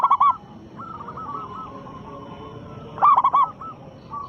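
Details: Zebra dove of a local strain, prized for its big voice, singing as a lure for other doves. A soft rolling coo sequence is followed by one sharp burst of several stacked, stuttered coo notes near the end.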